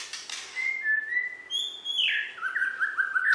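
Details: A West Kalimantan champion Borneo white-rumped shama in a cage gives long whistled notes that step downward, then a quick run of bright, bouncing phrases, recorded indoors.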